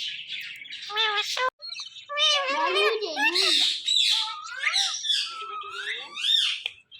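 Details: Male ringneck parrot indoors while watching its own videos, giving a busy run of bending, warbled, voice-like sounds and squeaky chirps. Most are mid-pitched and wavering, with short pauses between bursts.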